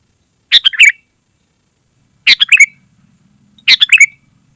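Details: Lively Sooty-headed bulbul song for attracting wild bulbuls and teaching caged birds: three similar phrases of rapid, liquid whistled notes, repeated about every one and a half seconds, a faint low hum underneath.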